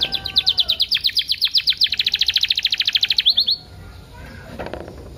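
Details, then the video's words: Lure song of a canary for training young canaries to sing: a loud, fast, evenly pulsed trill of sharp high notes, about three seconds long, that ends abruptly and leaves faint background noise. "PANCINGAN KENARI PAUD FULL ISIAN"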